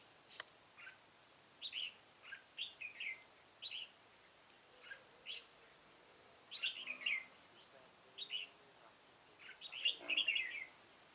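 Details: Red-whiskered bulbul decoy, an old bird set out to draw wild bulbuls into a trap, recorded 9 September 2017; quick twittering and warbled phrases come in loose clusters, the strongest burst near the end.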